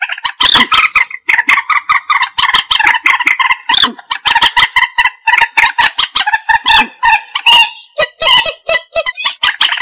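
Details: Common moorhen giving sustained calls, a recording meant for trapping: an almost continuous, rapid cackling of harsh, nasal notes, busier and more excited toward the end, with no other sounds.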